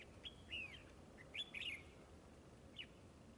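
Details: Red-whiskered bulbul at a trap, spreading and fighting: faint, bright whistled notes, some sliding downward, in scattered short bursts over a steady hiss.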